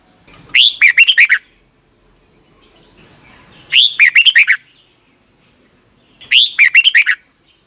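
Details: Red-whiskered bulbul singing, recorded in Thailand for caged youngsters to copy each morning; three repeated phrases, a rising whistled opener followed by five or six quick falling notes, with silent gaps between them.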